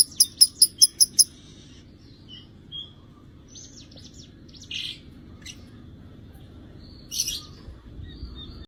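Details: Lovebird singing: a fast burst of six sharp, high chirps in a row, then scattered thin, high twitters, whistles and harsh buzzy notes with quiet gaps, over a low steady background hum.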